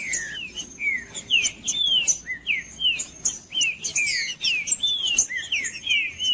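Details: Green-winged saltator song, played to warm up a cold, non-singing bird for breeders who enter song tournaments: a rapid run of loud, clear whistled phrases, each a slurred note rising then falling, repeated almost without pause for six seconds.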